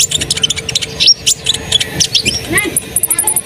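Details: Asian pied starling in lively song meant to provoke other birds to sing: chattering chirps, short whistles and harsh notes tumbling together, with a faint high trill near the end.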